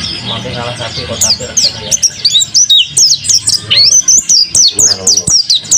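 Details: Captive mountain white-eye in energetic song, a quick stream of sharp high chirps and twittering whistles, rising and falling notes repeated in tight bursts after a quieter start, with soft background music and voices.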